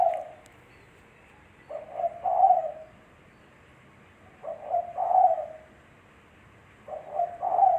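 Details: Spotted dove (tekukur) cooing, a clean recording meant as a lure call: three low, mellow phrases, each a short double coo followed by a longer rolling coo, repeated about every two and a half seconds in a quiet setting.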